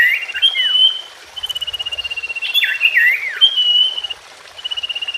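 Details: Song of a common iora, meant to prompt a freshly caught or silent bird to sing. A high buzzy trill held steady runs between bursts of slurred, falling whistles, twice through; a brief low rumble sits underneath.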